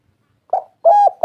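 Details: Spotted dove, called derkuku or tekukur, a local wild-type three-note "kuk 3" voice: short mellow coo followed by a longer level coo, clean and resonant, no other sounds.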